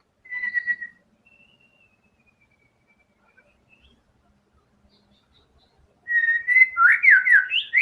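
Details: White-rumped shama singing vigorously with learned filler phrases: a short, steady whistle, a long quiet gap, then a steady whistle followed by quick upward-sweeping slurred notes.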